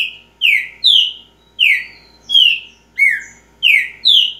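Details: Green-winged saltator, described as a repeater singer, giving loud, clear whistled notes that slur downward, about eight in steady succession roughly every half second, a few with a brief rising tail; quiet, even background.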